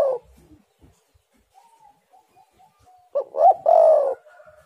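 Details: Lure recording of a vigorously singing spotted dove: a quiet stretch with faint soft notes, then one clear phrase of two short, rising hooting coos leading into a long, drawn-out coo.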